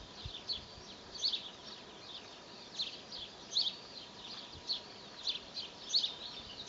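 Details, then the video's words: Spring recording of a young tit perched in an apple tree: high, thin, slightly buzzy chirps, about one every second or so, above faint background noise. "Młoda sikorka na jabłoni"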